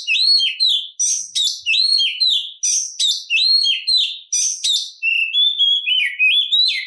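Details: Oriental magpie-robin's aggressive provoking song: a looped, arched whistled phrase with sharp high notes, repeated roughly every second, ending in a lower wavering warble.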